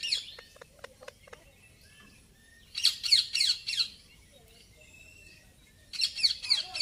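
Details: Indian ringneck parakeet making noise: short bursts of harsh, high repeated squawking notes, a few rapid clicks at the start, and quiet pauses between the bursts.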